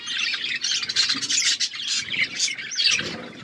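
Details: Short burst of budgerigar chatter inside an aviary, several birds giving scratchy squawks and quick high chirps in a thick continuous tangle.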